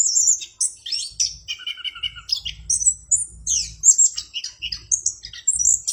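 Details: Clear-voiced orange-headed thrush singing a fast, varied medley of high whistles, chirps and short trills, with a low rumbling background now and then.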